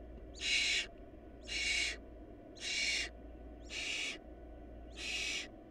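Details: Barn owl nestlings whose family was short of food give five harsh, hissing screeches about a second apart. Each lasts roughly half a second, gradually fading in loudness, over a continuous low hum.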